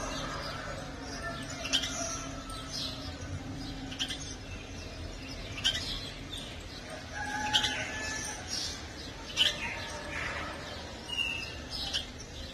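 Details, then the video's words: House sparrow chick chirping: short, sharp chirps repeated at uneven intervals, roughly every two seconds, over a steady low hum and background noise. "Filhote de pardal piando"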